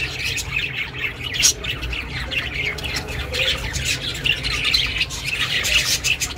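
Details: Chirping budgie recorded for budgies living alone; steady run of raspy, warbling chatter with occasional sharper squeaks, over a low background hum.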